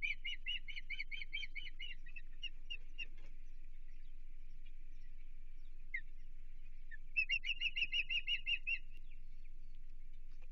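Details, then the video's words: Osprey calling at its Chesapeake nest on June 15, 2023 while an intruder approaches: rapid series of shrill whistled notes, a quieter stretch with scattered chips, then a second loud rapid burst of piercing calls. "Stranger Danger - Chesapeake Osprey Nest"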